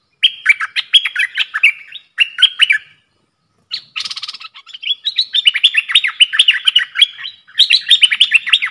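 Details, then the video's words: Caged bulbul dueling wild birds with dok taeng style song, dated 03/10/2564: dense, rapid chattering whistles in long phrases broken by a short silence and a harsh, rasping burst, then a continuous warbling stream. "เสียงนกกรงดอกแตงEp.82 ดวลเพลงกับนกป่า!!Birds sounds"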